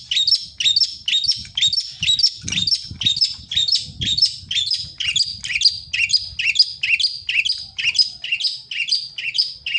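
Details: Songbird in the wild singing persistently, an unbroken string of sharp, high chirped notes repeated about twice per second, slightly uneven in rhythm, over soft low rumbling and a few dull knocks in the background.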